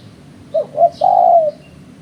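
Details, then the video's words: Spotted dove coo used to lure birds for trapping: two short notes, the second slightly rising, then an extended mellow coo that trails off downward. Faint higher bird notes sound behind it. "Suara Burung Terkuku"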